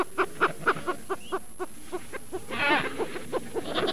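A penguin gives a rapid series of harsh, bleating, donkey-like pulses, about four or five per second.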